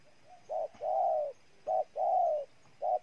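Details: Cooing of a spotted dove, Ninh Thuan, Vietnam: clipped short coo then long mellow falling coo, repeated in steady pairs, a faint tick between phrases.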